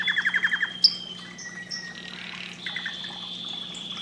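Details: Canary song played to stimulate breeding: a quick run of repeated chirps, then long thin whistled notes and a few trilled notes, fairly quiet, with a steady low hum behind.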